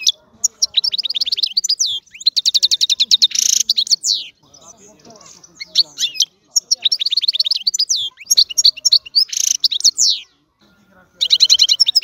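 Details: European goldfinch singing a bright, high twittering song of fast tinkling notes and liquid trills, delivered in bursts of one to two seconds with short silent breaks between.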